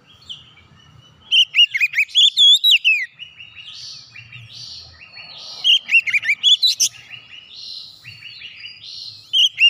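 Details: Oriental magpie-robin (kacer) in full song, meant to restart a bird that has stopped singing. It gives varied, rich whistled phrases with sliding notes, trills and short buzzy bursts in several separate runs, over faint low background noise.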